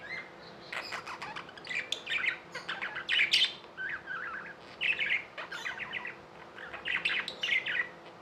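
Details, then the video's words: Pet budgerigars chirping and warbling: dense runs of quick, bright chirps and short buzzy notes, several birds overlapping, with faint steady hum beneath. "Budgies | Talking | Singing | Chirping sounds"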